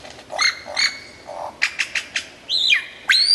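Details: A lyrebird in full song gives a varied sequence: paired harmonic notes, a burst of quick clipped chips, then a high whistle dropping steeply and a final rising, ringing note.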